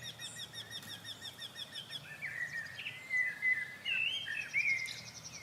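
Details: In spring, a migrant Eurasian wryneck on a bush gives a quick series of nasal, evenly spaced 'quee' notes. Another wryneck sings just behind, followed by another bird's clear whistles and warbling phrases over soft background noise.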